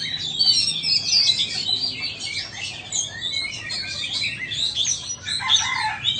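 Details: Vietnamese and Indonesian Oriental magpie-robins competing in song, a dense tangle of high twittering and whistled notes pouring out continuously, with a lower whistled phrase near the close.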